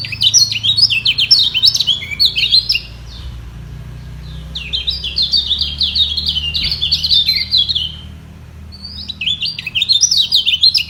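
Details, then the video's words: Yellow white-eyes in a singing duel below, contesting to keep the top position, evenly matched with neither giving way: bursts of rapid, high twittering warbles, sliding up and down, with a brief lull around eight seconds and a low background hum. "Demi Mempertahankan Posisi Kecial Kuning Ini Perang Suara Di Bawah"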